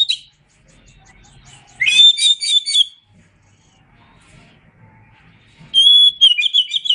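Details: Oriental magpie-robin singing a training song: a brief note, silence, then a rising, warbled whistled phrase of about a second, another pause, and a final burst of clear repeated whistles.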